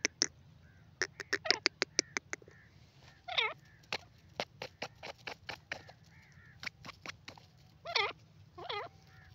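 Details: ['Grey francolin calling: bursts of rapid sharp clicks alternate with several loud, wavy, harmonic notes that rise and fall, over a constant low hum.']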